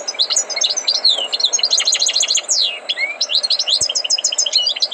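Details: Tutored goldfinch song, a continuous stream of bright, liquid twittering notes with rapid rising and falling slurs and a sweeping downward note, over a low background hum.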